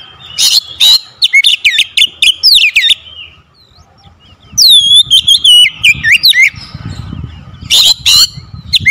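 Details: Oriental magpie-robin singing as a lure to prompt sluggish birds: strings of loud, rapid whistled notes and sharp clicks in several bursts, with a short quiet pause midway and faint low rumble behind.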